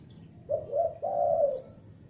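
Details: Young spotted dove kept as a lure bird, calling loudly: two low, mellow coos, the first short, the second longer and gently falling at the end, over a quiet low background hum.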